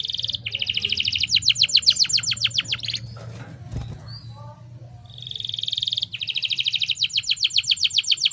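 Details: Female canary in breeding condition, used to lure males into singing: dense rapid trill of repeated notes, a pause with faint low hum and scattered sounds, then the fast rolling trill resumes steadily to the end.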